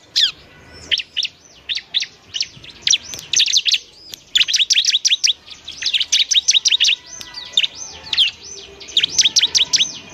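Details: Semi-adult ciblek (bar-winged prinia) singing for training other birds; scattered high notes building into dense fast runs of sharp looping chirps.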